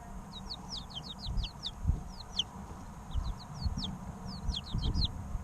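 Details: Several three-week-old chicks peeping in quick clusters of short, high, falling notes, about two per second, over low rumbling background noise.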